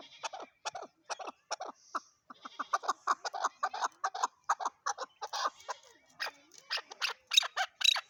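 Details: A chukar partridge's calling: a long run of loud, hoarse chucking notes, speeding up into a dense rattling chatter, then breaking into sharper, higher squeaky notes toward the end.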